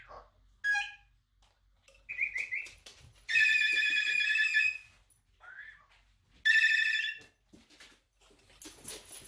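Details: A female pet Moluccan cockatoo mimics her favourite household noises, which she makes throughout the day: a short run of whistled notes, two long buzzy electronic rings like a phone, and brief beeps and squawks between them.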